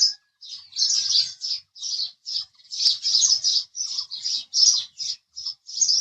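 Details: House sparrow giving a rhythmic series of separate, harsh, high chirps, about two to three each second.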